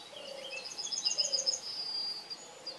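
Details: Faint Yellowhammer phrase: a string of thin repeated high notes leading into a long steady final note. Low soft tones and distant bird calls sit behind it.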